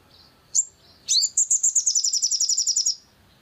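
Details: Sharp high chip, then a rising upslurred note leading into a quick, even trill of roughly fifteen pulsed notes, from a long-tailed shrike (sogon) recording played to provoke singing.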